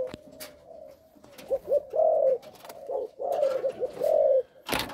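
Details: Captive Malaysian-line spotted dove sire, a stud bird for breeding young, giving a stammering coo with broken first three notes: low hollow coos in clustered phrases, short stuttered notes followed by longer rolling coos, a few clicks in an indoor room.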